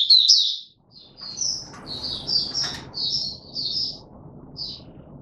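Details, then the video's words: Male white-eye opening song dated 31 December 2021: a loud first twitter then softer, spaced high whistled notes over a steady low background hum. "Mata Puteh - Raja V2 Pushing him on form buka sing"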